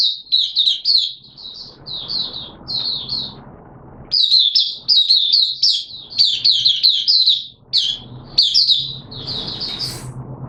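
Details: Oriental white-eye in hobby keeping, wet weather, 6 September 2022, singing its opening song: a long, lively stream of high twittering phrases, briefly pausing near the middle before resuming with sharper flicked notes.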